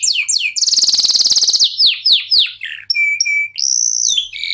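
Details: Singing local canary, a lure to set other birds singing: sharp descending whistles, a dense rolling trill, then several clear steady whistled notes held briefly between high chirps.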